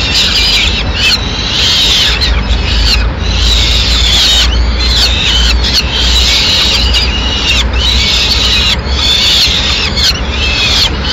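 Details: At a Madrid nest on 6 May 2016, a female peregrine falcon arrives with a pigeon; grating, scratchy calls come in dense clustered bursts with short gaps throughout, backed by constant low-pitched background rumble.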